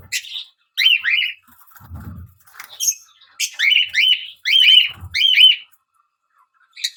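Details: Fischer's lovebird chirping: sharp, zigzagging high chirps in quick bursts, several clustered near the end, with brief low thumps between calls.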